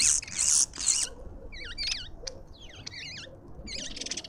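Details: At a garden feeder in suburban Pretoria, South Africa, lovebirds chatter in quick, wavy, squeaky notes repeated rapidly, after loud harsh hissy bursts at the start.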